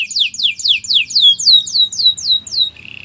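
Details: Canary singing a training song: a fast series of about ten bright descending whistled sweeps, evenly spaced, ending in a short soft rapid trill.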